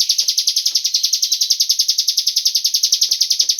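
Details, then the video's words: Lure call of a cigun bird intended to make other birds sing, a constant fast pulse of shrill chirps at a steady rhythm, accompanied by faint light tapping noises. "Pancingan burung cigun agar ikut bunyi"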